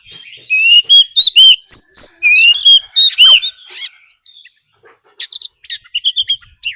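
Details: Oriental magpie-robin decoy bird in fighting song, with a wild female's call, used to rouse other birds: loud, clear whistled notes, sliding up and down, in a rapid run about four per second, then softer scattered chirps after a pause.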